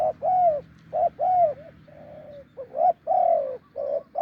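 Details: Spotted dove, wild and deep-voiced, calling to a decoy: arched, hollow coos of varying length, a softer flat note midway, then more short and long hoots.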